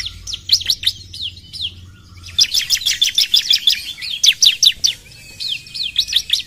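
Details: Bar-winged prinia song opening with a few spaced high slurs, then a long rapid volley of sharp, ringing, falling notes, easing into lighter repeated chips.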